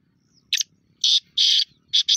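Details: Black francolin, known locally as Kala Teetar or Sheedi Teetar, a pet bird, giving loud harsh grating notes: a short burst, then two long rasping blocks and a closing double note, all evenly spaced over two seconds.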